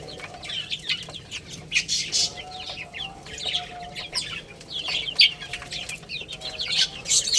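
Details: Chicks at play and eating keep up a chorus of thin, high, falling peeps, bunched in clusters with short gaps, plus soft scratchy noise.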